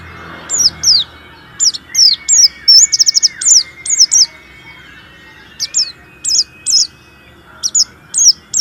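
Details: A vigorous warbling white-eye song used as a lure for sluggish white-eyes: steady stream of sharp, high falling couplets, roughly two or three per second, including a rapid stuttering trill, over faint background hum.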